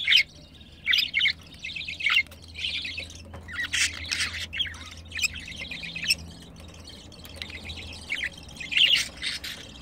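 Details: Pet budgerigars mating, the female in heat: scratchy warbled phrases with squawky notes in separate bursts, quieter gaps between them, and a low background hum.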